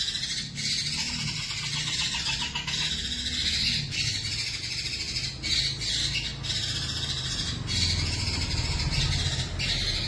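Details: White-rumped shama, called murai batu, singing nonstop in full song packed with imitated phrases, in the fierce fighting style used as a lure recording for songbird keepers; a dense, unbroken stream of high twittering and chattering notes over a low steady hum.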